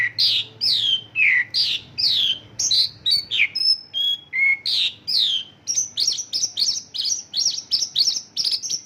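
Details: Isian lokalan song of a Mongolian lark, made of borrowed local bird phrases: loud descending slurred notes, short pure whistles, then a fast series of high chips near the end.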